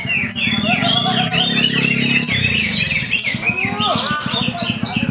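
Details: A greater green leafbird sings a torrent of sliding whistles and chattering notes, loud and continuous. A low pulsing mechanical buzz runs underneath.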